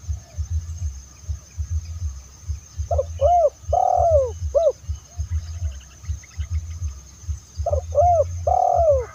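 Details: Spotted dove coo used to draw in other doves, two phrases of short arched notes around a long downward-sliding coo, repeated about five seconds apart over a low rhythmic pulse.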